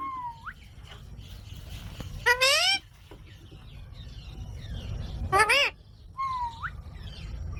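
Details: Green parrot giving two loud, rasping squawks about three seconds apart. Soft whistled notes with a rising tail come before and after them, over a steady low background hum.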